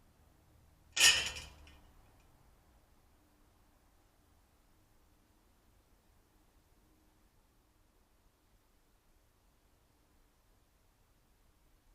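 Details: A single sharp knock or clink near the start, then quiet room tone with no animal voice.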